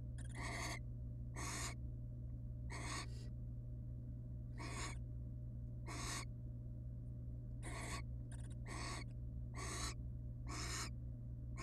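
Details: Wild barn owls, mother and father at the nest with chicks, recorded by a nest-box camera; repeated harsh hissing bursts, some doubled in quick pairs, about one per second, against a steady electrical hum.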